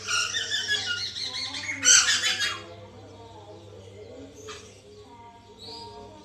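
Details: White-crested laughingthrush in captivity, a recording meant to stimulate another bird to sing: rapid, loud grating chatter for about two and a half seconds, then only soft scattered notes above a steady background hum.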